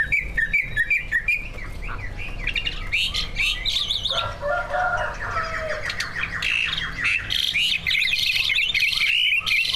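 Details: Two competition greater green leafbirds kept in cages deliver a full mimicry-laden song, a continuous medley of chattering, squeaky, sweeping and buzzy notes with shifting pitch, played to lure other birds into singing.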